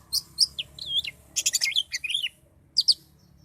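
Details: Oriental magpie-robin in agitated song: a few short sharp notes, then a dense burst of buzzy chattering and quick whistles, closing with two high chirps after a short pause.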